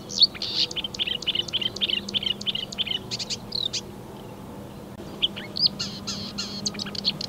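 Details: Marsh warbler (Acrocephalus palustris) on 15 May 2020 pouring out an imitation-rich song of European and African bird sounds: dense chattering buzzy phrases, a brief pause, then scratchy notes and high whistles.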